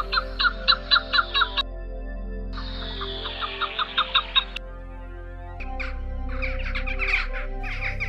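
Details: Chukar in tall grass of frigana scrubland, Ezousa Valley, Cyprus, gives its mating call from a vantage point: rapid runs of harsh, clucking chuck notes in three building, carrying bursts over soft background music.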